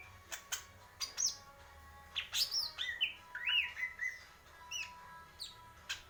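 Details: Greater green leafbird in the purwo mendem gadong style, with scattered clicks leading into a cluster of bright looping whistles and shorter descending notes, spaced irregularly.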